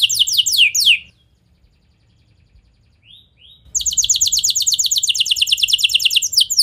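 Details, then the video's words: Canary singing as a lure so other canaries reply and start singing. A short burst of high, falling whistled sweeps stops, then near silence with two faint notes, then a long, very rapid rattling trill of sweeps. "Kenari Kondisi Apapun Pasti Nyaut! Ampuh Buat Memancing Kenari Lain, Langsung Gacor"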